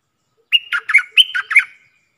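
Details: Decoy red-whiskered bulbul in a cage, used for luring, delivers one brisk phrase of roughly six jerky warbled notes over a faint steady whistle, with a few soft low clicks.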